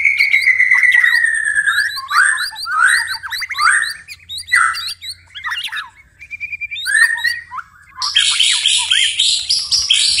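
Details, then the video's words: Night song of a white-rumped shama: a clear descending whistle, then varied slurred and buzzy phrases with pauses, ending in a dense, harsh, high-pitched chatter. "murai batu tetap gacor di malam hari"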